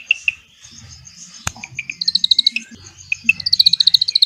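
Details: Drongo singing cililin-type long phrases, used to tutor white-rumped shamas. Scattered sharp chips and one loud click lead into fast high trills, the last rattling run slightly falling in pitch.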